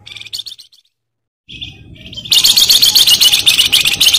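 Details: Flamboyan bird singing: a few short chirps, a brief silence, then loud, dense, rapid chattering song of high bright notes continuing to the end.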